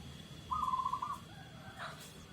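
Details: Local zebra dove giving a single soft, rapid trilled coo lasting about half a second, mid-pitched and even, over low background rumble.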